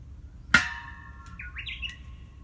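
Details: Japanese bush warbler singing unseen on Ogijima island, Takamatsu, Kagawa, Japan: a long, steady whistled note, then quick stepped, slurred notes completing the ho-hokekyo phrase, opened by a sharp click.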